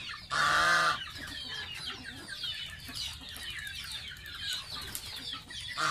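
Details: Young pet domestic goose during a bath gives a single loud, brassy honk at the start. Dense, busy high chirping and twittering fills the rest of the recording.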